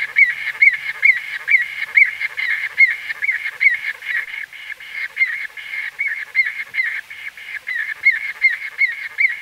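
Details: Close-up calls of White-fronted bee-eaters: a steady stream of nasal, slightly squeaky calls, roughly two each second, overlapping as several birds call together; exact recording date unknown.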